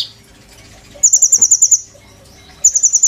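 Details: Oriental magpie-robin song full of mimicked phrases, used as a master song for training kolibri ninja birds: two very high, thin, rapid rattles of evenly spaced notes, separated by a quiet gap with a soft thud.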